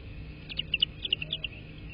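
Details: American bald eagle at a nest on a live nest camera, recorded 3 March 2024 at 13:54: a quick series of about eight high, thin, chittering piping notes, bright and clipped, over a steady low background hum.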